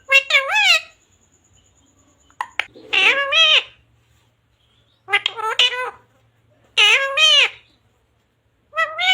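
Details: Pet parrot talking, said to say "mummy papa" and "radhe radhe"; bursts of high, wavering, voice-like syllables at roughly two-second intervals with quiet gaps between, indoors.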